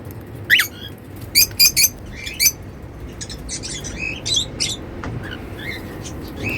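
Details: Pet cockatiels singing happily while eating seeds: sharp, harmonic-rich chirps in quick pairs and short bursts, loudest early on, then softer fluttering trills over a steady low indoor hum.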